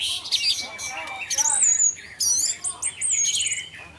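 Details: Orange-headed thrush in 'teler' style, used to tempt other thrushes to sing: abrupt bursts of very high, sharp whistles and harsh squeaky notes separated by brief pauses.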